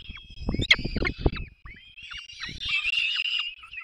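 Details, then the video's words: At a peregrine falcon nest in the Barycz Valley, Poland, 3 May 2024, where parents are feeding chicks, sharp squeals mix with loud low thumps and scraping, followed by steady rasping cries. "Zdenka i Borek karmią pisklaki 3 05 2024 sokoły wędrowne"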